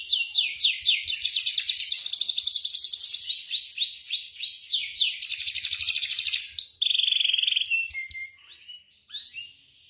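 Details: Canary singing a long roll to lure silent canaries: a rapid pulsing high trill alternating with arched swept notes, a steady buzzy trill, then fading into scattered short notes.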